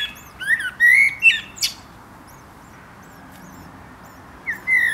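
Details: Common chiffchaff alarm calls near its nest in a garden in the UK during breeding: short, quick rising 'hweet' ("who it?") notes, a cluster of three, a pause of about three seconds, then one more, with a brief dry click.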